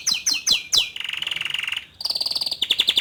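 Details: Male canary, young, singing so a juvenile will open its beak and sing: four loud falling notes, then a long rapid buzzy trill, a brief pause and a higher pulsed tour.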